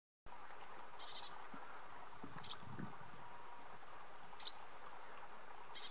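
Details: A female Black-capped Gnatcatcher on the lower Florida Canyon trail, Arizona, gives short, high, buzzy chattering calls, four bursts in six seconds, with some other notes over a steady background hiss.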